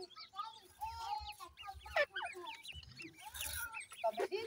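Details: Grey francolin chicks, several together, giving rapid, overlapping short chirps that slur up and down, crowded and almost continuous, with low background rumble and occasional noisy bursts.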